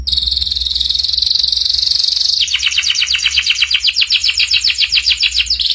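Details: Canary singing a ngeriwik-style master song for young birds: a steady high buzzing rattle for over two seconds, then a rhythmic trill of sharp repeated chips about four per second.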